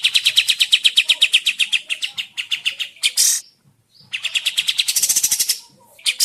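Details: Lure recording of a sooty-headed bulbul to get birds answering and singing: continuous rapid, rattling chatter with uneven pacing, a brief loud burst and short pause, then another dense, bright run of notes.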